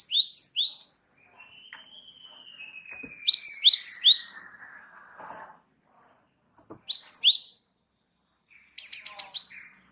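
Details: Java sparrow in continuous song for training cage birds: rapid descending chirp series recurring several times, with a long, thin, slowly falling whistle-like note between the first two series.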